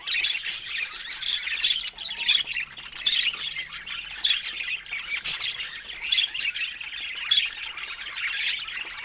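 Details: Chorus from a group of pet budgies among parrots: continuous high twittering chatter with louder squawky chirps standing out about every second, pitch staying high and bright throughout.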